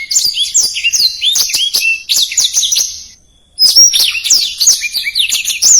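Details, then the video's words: Blackthroat tutor song, rapid and dense: two bursts of high chattering twitters and quick whistled slurs, divided by a short silent gap. "Suara Blackthroat Gacor Speed Rapat | Masteran Blackthroat Durasi Panjang"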